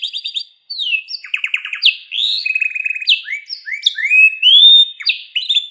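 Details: Pet canary song medley: short trills, sliding whistles, buzzy rattling phrases and a sustained pure tone, changing every second or so.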